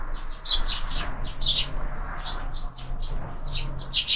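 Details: Sparrows feeding at a feeder fixed to a window, evening meal starting; clusters of brief high chirps in irregular bursts, a few birds calling together, over low background hum and soft patter.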